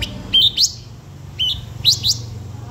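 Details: Blue-winged minla lure song for calling in wild birds: brief whistled notes each followed by a sharp rising flick, given in pairs separated by pauses, with a low hum beneath.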